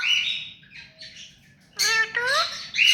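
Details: Hand-tame rose-ringed parakeet kept as a pet: a scratchy squawk, a quiet pause, then loud rising harmonic calls and a final harsh screech, over steady low background hum.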